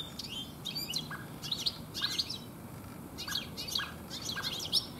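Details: In late afternoon in a garden full of goldfinches this year, a European goldfinch delivers a lively stream of high, tinkling, twittering notes in quick repeated clusters.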